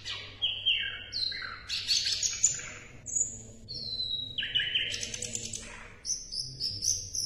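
Asian brown flycatcher singing a fast, varied run of high, thin chirps and sweet trills with quick jumps in pitch, over a faint low hum.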